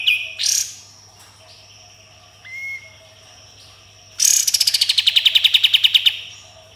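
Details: Sooty-headed bulbul in full 'tembakan' song: a few scattered calls and a short whistle, then a loud, rapid run of about fifteen sharp notes falling slightly in pitch.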